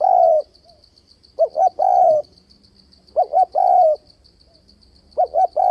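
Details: Spotted dove cooing continuously to attract wild doves to a trap: a long coo, then repeated phrases of two short low hoots and a drawn-out falling coo, while a high insect trill pulses steadily.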